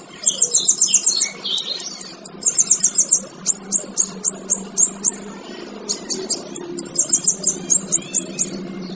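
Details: Male kinoy training song with high buzzy trills, each followed by a run of evenly spaced sharp chip notes. The pattern repeats several times against a faint low drone.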